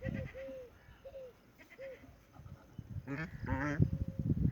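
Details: Domestic ducks kept at a house give rough, nasal, harmonic quacks, with soft low calls early on and a louder burst of strained, ringing quacks near the end over a low background rumble.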